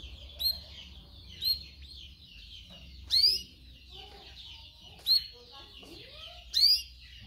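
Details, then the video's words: Canaries singing for song training: sharp upward-sweeping chirps repeated about every one to one and a half seconds over a soft continuous high twittering background. "Canary training 0.25 Hour canario canary song"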